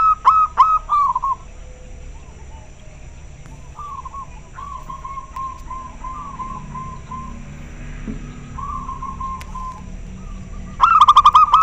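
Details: Local zebra dove in a calling exchange with another bird: loud pulsed coos at start and end, with softer, more distant rolling coo phrases between, over quiet background hum.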